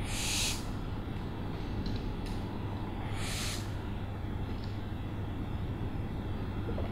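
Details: Owl giving harsh, breathy screeches, one loud rasping burst at the start and another about three seconds later, with a faint short hiss between, over a steady low rumbling hum.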